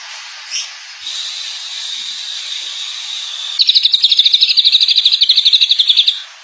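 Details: Greater green leafbird (cucak ijo, Chloropsis sonnerati), a champion bird in full 'gacor' song with many mimicked materials: a long steady high whistle, then a rapid buzzy trill of about ten notes a second over constant hiss.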